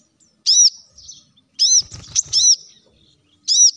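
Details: Lively plain-throated sunbird, recorded to coax other birds into song: loud, high, arched whistled notes with a quick slurred phrase in the middle and a faint low thud beneath.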